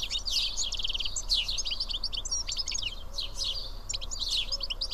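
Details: Sparrows of the house species, a small group feeding side by side at Karyotissa, Greece, keep up a busy overlapping chorus of clipped chirps and rapid twittering bursts, with steady low background noise.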